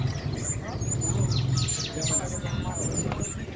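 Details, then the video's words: Young prinia, kept as a tutor bird for training other birds, giving high thin chirps and quick descending squeaky notes in a loose burst near the middle, over a steady low rumbling background. "anakan burung prenjak siap di masterkan"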